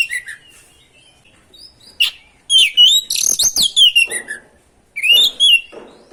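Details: Oriental magpie-robin singing nonstop to excite other magpie-robins. Scattered soft notes give way to a loud, rapid run of buzzy and whistled phrases with sharp clicks. A final bright, rising whistle phrase closes the clip.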